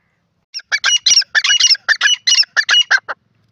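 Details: Grey francolin, known locally as teetar, gives a loud, harsh, squawking call. About a dozen rasping, clipped notes are delivered in a quick burst over roughly two and a half seconds against a silent background.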